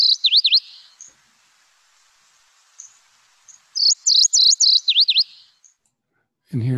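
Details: MacGillivray's Warbler song, Lake Tahoe area: two phrases of high, slurred, seesawing notes swinging down and up, a short burst then a longer series after a pause, with a low human voice at the very end.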